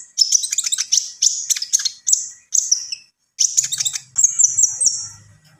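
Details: Javan pied starling singing a full song: bursts of high, squeaky whistled notes and fast chatter, a pause near the middle, then ringing repeated whistles; a faint low hum underneath.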